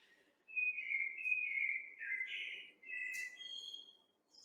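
A blackbird sings a few mellow, fluted whistled phrases that slur up and down, ending in a thin, high squeaky flourish; no other clear sounds.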